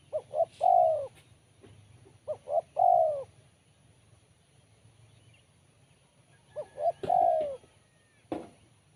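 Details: Spotted dove singing with a sharp, crisp voice. Three phrases of two short coos and a long falling coo, with a long pause before the last one, and a sharp click near the end. Low hum throughout.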